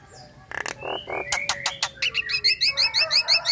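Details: Female Nias hill myna, a caged bird in breeding condition, calls to a male. Buzzy, harsh notes open the series, then sharp clicks follow. It closes on a rapid, regular run of bright chirped whistles.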